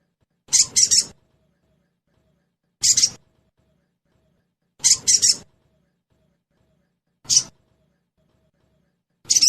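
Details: Sogon (crested jay), trotol style, as a lure for making birds sing fast: repeated rasping bursts, some single and some doubled, roughly every two seconds with clean silence between.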